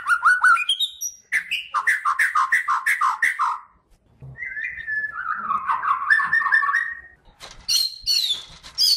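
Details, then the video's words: Bornean white-rumped shama sings rich, varied phrases: a run of rapid repeated whistled notes, a pause, then a long tumbling warble ending in high sharp notes. Used as song-training material. "SUARA KICAUAN BURUNG MURAI BATU KALIMANTAN HAJI MAHKOTA GACOR COCOK BUAT MASTERAN"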